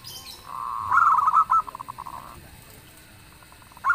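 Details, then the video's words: Local zebra dove singing steadily, with a loud booming voice said to draw answers from other birds: one rapid stuttering phrase of bubbling coo notes, level then trailing into softer pulses, with a new phrase starting at the end. "suara perkutut lokal gacor_dentuman suaranya bikin yg lain nyaut"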